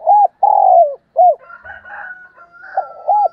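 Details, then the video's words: Decoy spotted dove calling in the morning: a quick series of deep coos, one long and falling, followed by a rooster's long crow overlapping further soft coos. "Tiếng Chim Cu Mồi Gáy Gọi Buổi Sáng"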